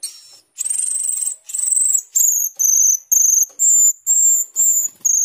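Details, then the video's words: Energetic gacor teler song of a starling known as cucak keling or jalak keling: loud, high, clear whistles held about half a second each, repeated steadily roughly twice a second. "cucak keling gacor teler atau jalak keling gacor teler"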